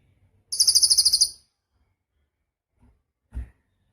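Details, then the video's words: Singing cililin, master recording for songbird training: a single short burst of quick, piercing high trill lasting under a second, then silence and a dull low thump. "Suara Cililin Burung Gacor"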